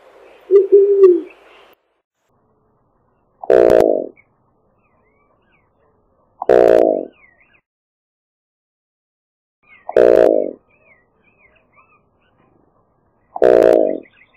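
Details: An eared dove (Zenaida auriculata) song: a low, hollow coo repeated about every three seconds; each note is short and soft, with nothing else heard.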